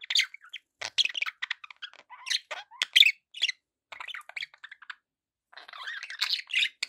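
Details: Several pet budgerigars chattering together, a dense stream of short scratchy chirps and squeaky warbled notes, with brief pauses, then a busy overlapping burst toward the end.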